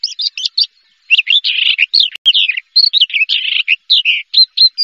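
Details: Javan bush lark, first-place contest bird, with a lively song of chirps, buzzy trills and looping whistles in rapid clusters, one sharp click midway, background otherwise silent.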